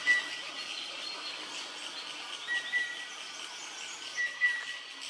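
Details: Chestnut-winged Cuckoo in Phulchowki, Godavari, Nepal, in April 2022, calling from dense canopy before coming to lower branches; not a regular sighting there. It gives short, sharp whistled notes in pairs, repeated about every two seconds, over a steady hiss of insects or forest noise.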